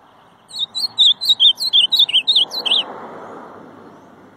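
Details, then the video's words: Ultramarine grosbeak delivering a rapid phrase of around twelve warbled, twisting whistles over two seconds, the last notes dipping lower, with a soft low hum of distant traffic underneath. "Canto do Azulão"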